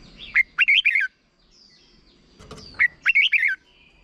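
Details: Thai caged red-whiskered bulbul performing a brief doubled song for young birds to learn: two lively phrases, each a sharp opening note then three or four bubbling, whistled notes, separated by a short pause with light background noise.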